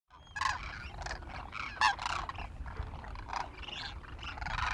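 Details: Flock of wintering demoiselle cranes feeding on the ground at Khichan village, Rajasthan, India: overlapping rolling, trumpeting calls rise and fall in a continuous chorus, with a faint low rumble beneath.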